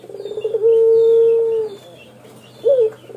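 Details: Male spotted dove in its long song: a buzzy stammering lead-in, then a smooth, flat coo held for over a second. A short rising-falling note follows, over a low steady hum.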